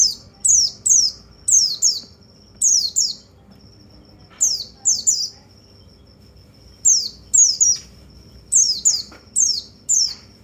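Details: Repeated high, downslurred notes from a white-eye, meant to stimulate other white-eyes. The notes come in pairs and triplets separated by brief silences, around twenty notes in all, with a clean, quiet background.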